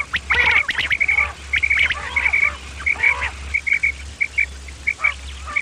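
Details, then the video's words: Male and female common quail sounds used in hunting as a lure: a series of sharp, high chirps, closely spaced at first and then spreading out, mixed with lower nasal rasping notes early on, over a faint hum. "Batair ki Awaz bima kirak / quail sound effect | batair karik"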